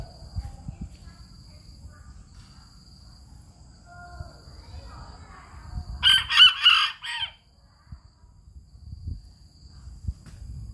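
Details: Bantam rooster in Hanoi, Vietnam, crowing: after several seconds of quiet rural background with faint low rumbles, one loud, harsh, multi-syllable crow bursts out for just over a second, then fades back to quiet surroundings.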